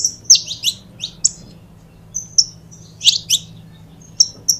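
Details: Canário-da-terra, the saffron finch, giving scattered high chirps and brief slurred notes separated by short gaps, quieter and more broken than full song, over a low background hum.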